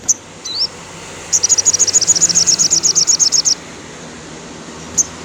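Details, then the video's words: Afternoon sogon, or crimson sunbird, song meant to revive slumping caged birds: a lone slurred note, then a two-second burst of quick, regular high chirps, with a faint final note over soft background hiss. "suara sogon syahdu sore hari !!!! cocok untuk semua sogon ngedrop.."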